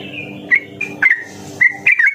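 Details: Yellow-vented bulbul song from a lure recording for kept birds; brief sweet whistles and a fluid, slurred warble with short gaps between phrases.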